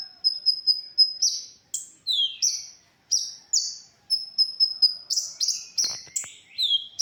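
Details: Olive-backed sunbird (konin) song meant for tutoring songbirds: quick trills of thin high ticks alternating with louder high downslurred notes and a few swooping phrases.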